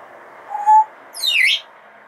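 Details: Pet female Congo African grey parrot indoors, a bird said to know over 500 words, beeps and songs: a short level whistle, then a loud, sweeping high chirp falling steeply, over steady room hum.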